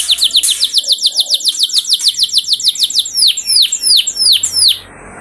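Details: Lure recording of a canary for prompting caged canaries to sing: a steady, rapid series of sharp descending chips gives way to louder looping whistled swoops before falling quiet.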